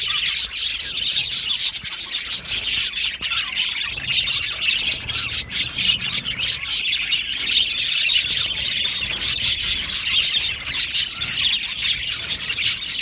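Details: Aviary colony of Australian budgerigars giving a long, unbroken wall of high chirping, scratchy squawks and fast warbles, many birds calling at once with no pauses.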